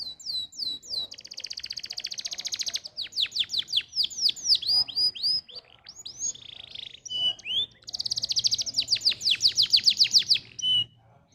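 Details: Canary singing as a training model for other canaries: high buzzy trills, liquid upslurred whistles and clusters of quick falling notes alternate in a loud, unbroken, varied phrase lasting over ten seconds.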